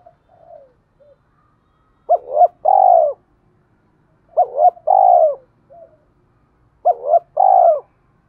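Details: Spotted dove in thổ-style cooing, a decoy to draw wild doves to fight: the same low phrase of two quick coos and a longer rolling coo, repeated three times about every two and a half seconds, in quiet surroundings.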